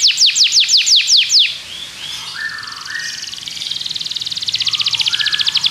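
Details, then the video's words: Belgian canary song for training other canaries: a quick burst of downward sweeps, then a softer section with other faint chirps, building into a long fast buzzy trill. "Canário belga seduz todos os canários para cantar - treinamento de canário"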